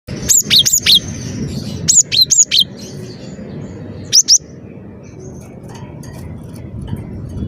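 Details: Cinereous tit singing energetically: bright, high whistled two-note phrases, each dropping from a thin upper note to a lower one, in short bursts around the first and second seconds, then a single burst near four seconds, followed by quiet background hum.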